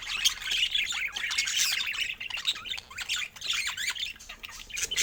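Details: Cheerful twittering from budgerigars: quick squeaks, buzzy chirps and short up-and-down whistled notes tumble over one another, easing slightly in the middle before picking up again.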